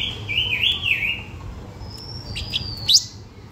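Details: Blue-winged minla lure song: a bright, wavering warbled phrase of quick rising and falling notes, then a long thin high whistle ending in a sharp upswept note, with a soft low hum underneath.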